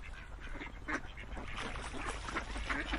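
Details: Ducks calling in a busy mix of short, nasal quacks, with several birds overlapping and a steady low rumble beneath.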